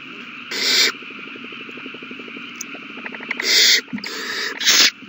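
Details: Owl babies begging as a big meal is delivered, March 27, 2020: one loud hissing screech, then a fast ticking clatter for two seconds, followed by three more raspy screeches close together.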